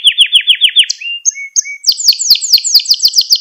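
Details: Canary lesson song used to train young canaries: a run of quick descending chirps, thin high whistles, then loud sharp downward-sweeping notes in a steady fast series.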